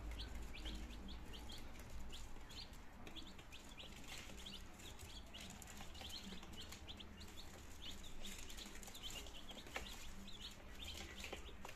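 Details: Nineteen two-day-old chicks in Germany, 17 September 2022, trying food and water for the first time; a constant chorus of sharp, high peeping notes repeated rapidly, with a low hum underneath.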